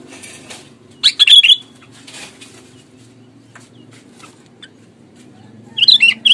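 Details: Loud, clear sooty-headed bulbul song used as a lure to draw replies from other bulbuls: brief gurgling, warbled phrases near the start and again at the end, with quiet background hum in the pause.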